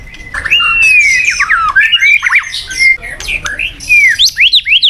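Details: Murai batu lure song intended to make a listless shama a fighter; long smooth whistles sliding down, followed by rapid looping notes and a series of upswept whistles near the end.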